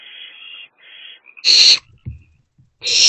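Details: Owlets, three together inside a nest box in April 2024; a long softer rasp, then loud harsh hisses with some shuffling thumps between.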